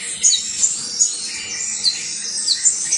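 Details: Saffron finch, called canario basto criollo, giving a string of short, piercing high chirps spaced irregularly over a hissy background.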